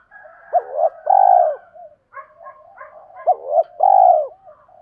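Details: Spotted doves cooing as decoys to attract wild birds and for training: two strong phrases, a short rising note then a long swelling coo, over a steady background of softer low notes and chirps.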